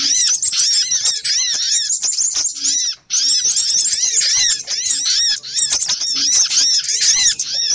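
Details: Little spiderhunter lure audio with rapid, excited high-pitched chirps in overlapping bursts, a short silent gap near the middle before the chattering resumes.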